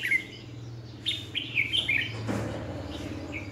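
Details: Decoy red-whiskered bulbul singing for training other birds: a few short, quick warbled notes over a steady low electrical hum and background noise.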